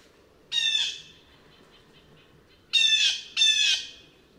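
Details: Three rasping, nasal jeering calls from a blue jay (Cyanocitta cristata): one single call, then a pause of about two seconds, then a close pair, all harsh and broad with a faint low undertone.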